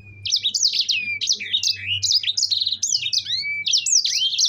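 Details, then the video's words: Fast, uninterrupted song from a mozambik (yellow-fronted canary) in 'gacor' condition: tumbling high whistles, rising and falling loops and chirps in close succession for over four seconds, over a faint low hum. "Dijamin langsung ikut ngerol dengar suara burung sanger gacor ini"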